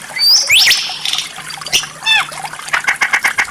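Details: White-rumped shama training song with rare 'tembakan' shot phrases and strange notes: sharp upward and downward whistled sweeps, a descending slurred note, then a rapid burst of clipped repeated chips.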